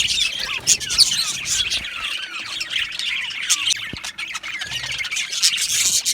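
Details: Many Australian budgerigars chirping in an aviary colony. Rising and falling squeaky notes and scratchy squawks pile up in a constant lively warble, with a few louder squawks standing out.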